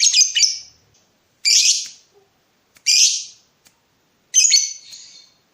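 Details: Lovebird in breeding mood calling to provoke a rival, giving four harsh, buzzy high squawks spaced about 1.4 seconds apart, each fading quickly, with silence between them.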